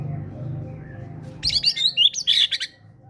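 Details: White-rumped shama, a fighter-type bird singing great tit material as a prompt for quiet birds. A low rumbling hum comes first, then one brief burst of high, rapid, twittering notes.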